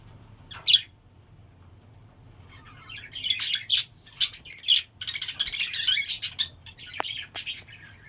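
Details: Budgerigars in a home breeding setup giving sharp, scratchy chirps and warbling bursts, sparse at first then dense and chattering, with a brief click.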